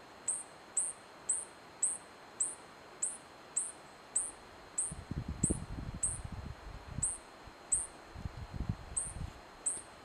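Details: White-bellied hummingbird (Elliotomyia chionogaster) in Tucumán, Argentina, giving high, thin chips about every half second, steady and repeated, over low rumbling noise in the second half.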